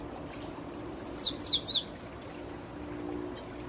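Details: Bahia seedeater singing: a short phrase of high, clear slurred whistles, several falling and rising notes delivered over about a second, then quiet with a steady faint high hiss in the background.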